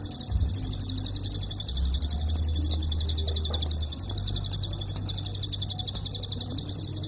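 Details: Unbroken rattle of sharp, high-pitched clicks from a prinia, delivered rapidly and closely spaced for the whole stretch, with a constant low droning hum in the background.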